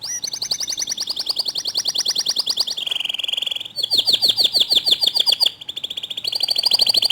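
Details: Loud, close canary song meant to coax other canaries into singing, built from fast repeated trills, a steady buzzy rolled tour, and a burst of quick down-slurred notes, with the phrases switching every couple of seconds.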